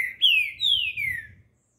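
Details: On an early morning in Recife, a young male green-winged saltator put out in the sun sings three loud, clear, downward-sliding whistled phrases, the last longest and lowest, over a faint low rumble.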